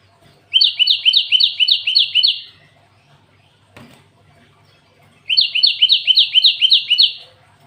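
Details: Cinereous tit (glatik watu) singing a song described as full of canary-learned phrases: two bursts of rapid, bright, repeated two-note chirps, about four per second, each lasting around two seconds, with a short pause between and a faint click in the gap.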